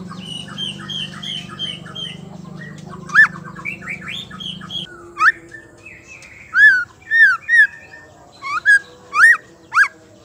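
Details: Female white-rumped shama voice, used to provoke males to sing: soft chattering, warbled notes over a low hum, then a run of loud, ringing, arched calls that grow denser toward the end.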